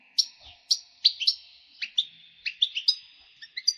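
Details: European goldfinch calls, with male and female birds, used to encourage breeding. Sharp, separate high chirps come every half second or so, some doubled, and there are brief pauses between the notes.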